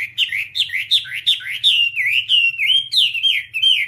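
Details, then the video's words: Whambie song used for tutoring: a lively, continuous run of bright whistled notes that twist up and down, repeated quickly, over a faint low hum. "Masteran Whambie nonstop 1 jam"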